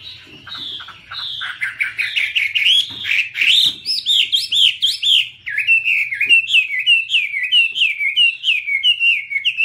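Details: Chinese hwamei pouring out a continuous, varied song of rich whistles, arched slurs and quick chirps, building to a steady run of repeated looping notes toward the end.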